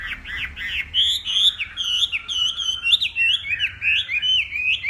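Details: Morning contest singing of a northwest Vietnamese hwamei training its voice: a continuous flow of bright, slurred whistles rising and falling, with quick twisting phrases woven together without pause.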